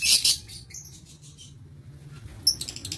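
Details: A loud shrill burst from lovebirds in an aviary, 22 August 2023, followed by fading high twitters and a quick rattling series of sharp, high notes near the end.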